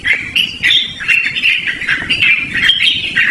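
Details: Sustained Yellow-vented bulbul song, loud and distinctive, used for luring or training: flowing, slurred warbles run together almost without pause, over soft background rustle.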